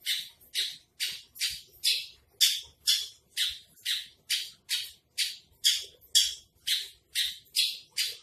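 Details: Javan bush lark, branjangan trotol type, giving a steady series of scratchy, buzzy high notes, about two per second, each note swelling then fading, with a faint room background.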